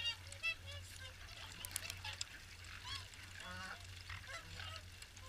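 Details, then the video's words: Swans at the WWT Caerlaverock morning feed give quieter, distant-sounding honking calls, many birds overlapping in a continuous babble of short nasal notes. "Morning Swan Feed"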